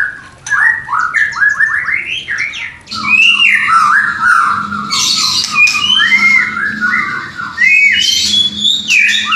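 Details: White-rumped shama mating song intended to raise breeding desire in a new pair: quick stuttering chirps opening into long warbling whistles and scratchy buzzy notes, loud and continuous.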